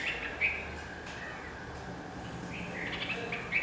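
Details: Red-vented bulbul giving short, sharp chirps: one clear note early, then a cluster of three or four bright notes near the end, over a low steady background hum.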